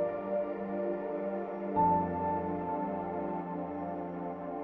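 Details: Soft ambient synthesizer music with sustained layered tones and a low drone that shifts at about two seconds; no animal voice is heard.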